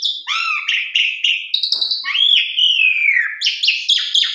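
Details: Asian pied starling in full song for training young birds: quick chirped notes at the start, then a long, clear whistle sliding down over about a second, closing with sharp rising chips.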